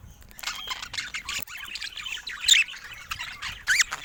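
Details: Several pet budgies playing together; continuous high scratchy chatter with sharp squawky chirps standing out near the middle and end.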